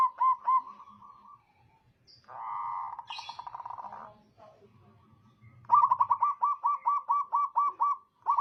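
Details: Local zebra dove (perkutut) in lively voice, used as a lure to provoke and stimulate other doves: mellow, mid-pitched coos in quick rhythmic runs, a longer blurred stretch in the middle, then a fast series of about ten repeated coo notes.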